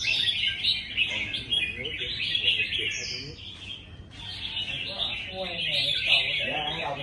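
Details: Red-whiskered bulbuls singing against each other in a contest: dense, cheerful warbled phrases rising and dipping, a brief pause near the middle before the chorus resumes, low voices faintly audible.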